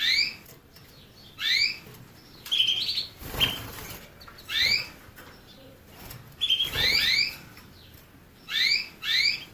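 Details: Canary phrases of quick upward-sweeping chirps and a short steady whistle, broken by a couple of brief rustling or flapping bursts between the notes.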